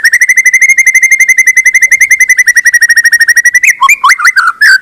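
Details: White-rumped shama, a lure for a bird that sings little: a long, rapid chain of near-identical notes at a steady pitch, closing with a few loud, varied swooping whistles.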